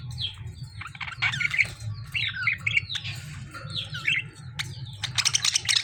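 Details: Fighting between lovebirds and budgies: sharp, upward-sweeping squeaks and shrill squawks at irregular intervals, ending in a loud, harsh burst of rasping screeches.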